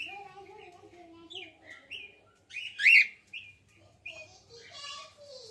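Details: Chirps from a female cockatiel: short tweets followed by one loud, sharp rising call midway, over low steady tonal sounds and a faint hum.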